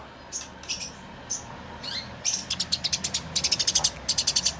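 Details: Fighting tree sparrows: at first sparse, soft chirps and a short downslurred note over steady background hiss, then a quickening stream of sharp, evenly repeated chirps.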